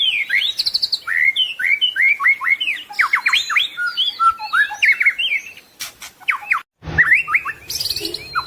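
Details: White-rumped shama (murai batu) in a full-isian tutor song recording: a rapid, varied run of loud whistled and slurred phrases, rising and falling notes and sharp chips, then a brief break before more whistled phrases over faint low hum.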